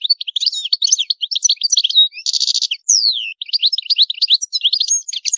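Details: European goldfinch song with high maqamat: an unbroken, rapid jumble of liquid twitters and chirps, a harsh buzzy rattle midway, then a long descending slurred whistle before the twittering resumes.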